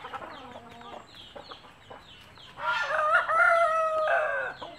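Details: Native country chickens, a mother hen calling chicks to food; low clucks and short notes, then a loud, long, drawn-out harmonic crow-like call lasting nearly two seconds.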